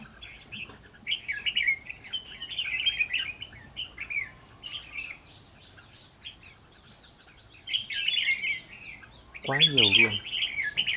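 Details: Red-whiskered bulbuls around a decoy trap on 11 November 2018: long stretches of busy, chattering whistled phrases, then near the end a loud, harsh, buzzy sound rising over the singing.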